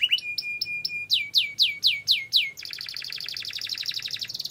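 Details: Canary singing a training-lure song: short flat whistled notes, then five loud downward-sweeping slurs, then a rapid buzzy rolled trill held to the end.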